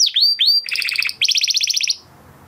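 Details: Brief training song from a Huppe Spanish Timbrado canary of 2020 breeding, kept in a flock: two swooping downslurred notes, a fast bubbling rattle, then a crisp rapid metallic trill stopping abruptly.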